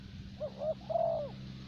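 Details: Spotted dove used as a decoy in Vietnam gives a single low phrase: two short coos followed by a long, smooth, slightly falling coo, against a faint humming background.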